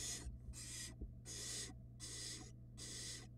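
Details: At a Florida nest box, a barn owl mother delivers a rat to a nestling. Five rasping, breathy hisses follow one another with short gaps, each roughly a third to half a second long, over a constant low hum and faint soft thumps.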